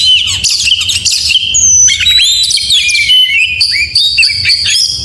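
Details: Morning 'gacor mewah' singing of an oriental magpie-robin: crisp high whistles, sliding notes and rapid scratchy bursts delivered continuously and loudly.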